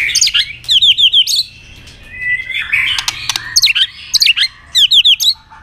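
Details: White-rumped shama's fighting song with double notes and tail clicks, used to provoke an opponent: crisp, high, down-slurred whistled notes in rapid groups of three or four, alternating with a buzzy mid-pitched phrase and sharp snaps.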